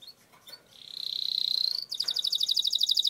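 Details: A canary in strong singing form delivers a long roll meant as a training lure for contest birds: a sustained, steady whistled trill that rises slightly, then switches to a fast, pulsing rattle of rapid repeated notes.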